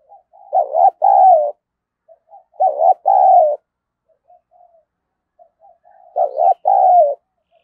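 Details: Decoy spotted dove calling to stir up a fight: three strong paired coos spaced about two to three seconds apart, with small soft notes scattered between them.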